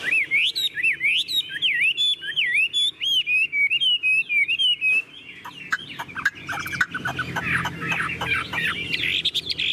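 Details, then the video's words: Tame caged Chinese hwamei singing loudly: rich, varied whistled phrases sliding up and down, quick repeated notes and trills in a steady stream, later becoming harsher and noisier, with a man speaking Vietnamese afterward. "Họa mi đẳng cấp, chim thuần, hót như 1 cái máy"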